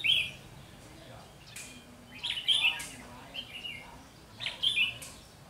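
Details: Red-whiskered bulbul decoy in a trapping setup on 30 June 2020, with short lively warbled phrases repeated roughly every two seconds, some overlapping, and scattered clicks between them.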